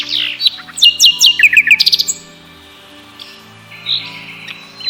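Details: Nightingale song opening with a rapid descending series of sharp, high notes, followed by a quiet pause and a few brief whistles.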